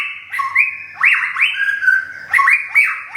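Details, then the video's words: White-rumped shama from Thung Song, Thailand, a kept bird recently moved to a new home and moulting, its feathers almost fully regrown. It sings loud, clear whistled notes that sweep up and down, in short phrases with brief pauses between them. "บินหลาดงทุ่งสง shama bird murai batu thailand"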